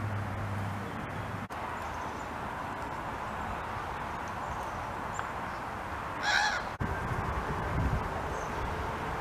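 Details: A juvenile common raven gives a short, harsh, rasping cry partway through, calling to sibling ravens nearby, set against a steady rushing background noise.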